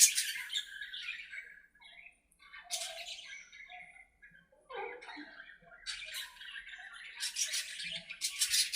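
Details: Aviary budgies chattering to one another as they play, giving raspy squawks and chirps in uneven clusters, with short pauses between louder buzzy outbursts.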